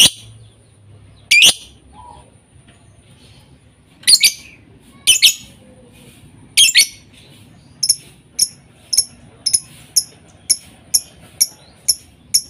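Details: Lovebird sounds played as a lure to start lovebirds singing: scattered shrill chirps, then a steady series of short high ticks roughly every half second.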